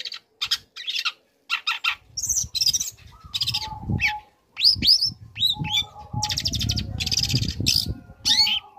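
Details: Young long-tailed shrike singing, used to provoke other shrikes into answering: varied mix of harsh buzzy bursts, sharp high rising whistles and chattering notes, with a steady low whistled tone in the background and some low rustling.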